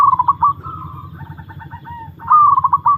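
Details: Zebra dove, a long-kept bird put through a song test, cooing in soft mellow phrases: bubbling rolled notes, then a run of quick stuttered coos and a final trilling phrase, all low and even.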